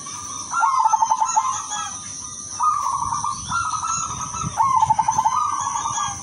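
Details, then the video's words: Melodious song of a silver zebra dove, kept as a lure to set other doves singing: three phrases, each a rapid stuttering run of soft coos leading into a sustained low coo, with a steady high hiss behind. "PERKUTUT SILVER SUARA MERDU UNTUK PANCINGAN DAN TERAPI"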